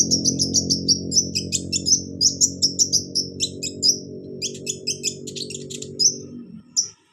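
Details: Olive-backed sunbird (kolibri ninja) song for prompting a lazy caged bird to sing: steady rapid sequence of bright, very high chirps and thin trills, with a low humming tone underneath until near the end.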